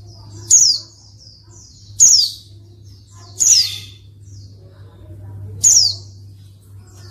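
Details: Repeated high, downward-sliding notes, five in about seven seconds, from a female white-eye calling so that reluctant males answer and sing, over a continuous low hum.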